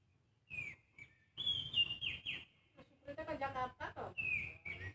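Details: Young Oriental magpie-robin giving clear, high whistled notes, some slurring downward, alternating with quick twittering phrases over faint background noise.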